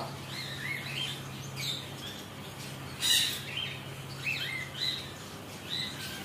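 A lory gives high, chirpy twittering notes in quick, uneven bursts, with one sharper squeak midway, over a steady low mechanical hum.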